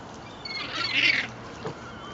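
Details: Rowdy seagulls being fed bread from a boat's stern deck at Fleetwood Docks on a sunny day; one harsh, broad squawk swelling and fading over about a second, with faint harbour background.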